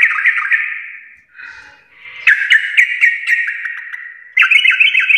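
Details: Sooty-headed bulbul, locally trucuk, singing energetically in garuda style: buzzy trilled phrases run together, dipping briefly, then surging into loud chattering runs of sharp repeated notes.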